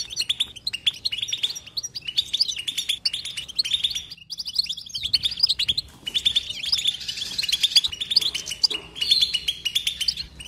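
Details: Continuous goldfinch twitter without silence: fast runs of bright clicking chirps and liquid trills, a brief lull then a louder dense burst of buzzy jingling notes, followed by more rapid chatter.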